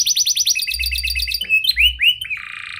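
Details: Canary with a prenjak and lovebird song style, used to lure other canaries into song: fast repeated high notes, then a few separate upward-curving whistles and a held lower tone.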